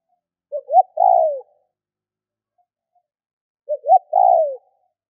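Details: Spotted dove call used to stimulate other doves to call: two short rising notes then a longer falling coo, the three-part phrase given twice about three seconds apart, clean with no other sounds.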